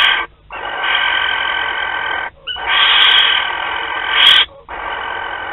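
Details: Barn owls in Théding, France, filmed on 28 February 2021 as their courtship begins; long harsh rasping screeches lasting over a second each, separated by brief silent gaps, with faint clicks between.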